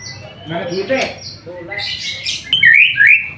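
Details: White-rumped shama singing while bathing in the afternoon; soft low warbles and murmuring give way to bright, loud whistled slurs near the end, two sharp descending-rising notes closing the phrase.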